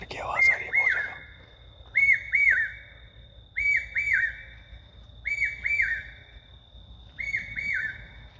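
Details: At night in Jim Corbett, Uttarakhand, India, near the lodging, a Common hawk-cuckoo (papiha), first mistaken for a nightjar, repeats a shrill, climbing three-note phrase about every 1.5 seconds over a steady high insect whine.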